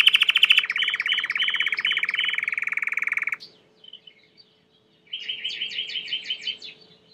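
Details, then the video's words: Belgian canary singing a long, dense, fast trill of harsh pulsed notes lasting about three seconds, a short pause, then a shorter series of bubbling repeated notes. "COMO FAZER SEU CANARIO CANTAR MUITO 20 MINUTOS DE CANTO"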